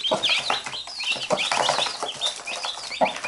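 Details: A mother hen among her chicks, which bite her while she pecks back: bright, high chick cheeps dominate, broken by a few low, gruff hen clucks.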